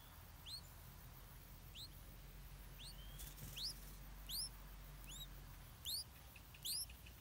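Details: Hungry stripe-throated bulbul chick begging as the mother delivers insect food: quick upward-sweeping squeaky notes, sometimes doubled, coming about every second, with a brief rustle midway and a faint low background drone.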